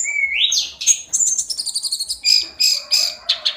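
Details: Hill blue flycatcher (tledekan gunung) singing its daily song: a rising whistled slur opens into fast, high twittering notes repeated several times a second, ending in a few sharper chirps.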